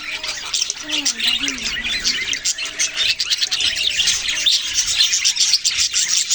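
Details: Budgerigar chatter: many thin, high chirps and scratchy warbles overlap without pause, with a brief lower wavering tone near the start.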